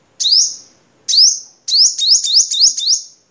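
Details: Crimson sunbird, Vietnam variety, sung as master material for cage-bird training: two lone piercing up-slurred notes, then a fast sequence of six rising sweeps. Background silent.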